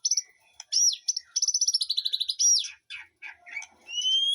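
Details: White-rumped shama in a garden aviary behind a house, singing a varied phrase: clear whistles, a rapid run of bright repeated notes, a sliding whistle, then rising pure tones.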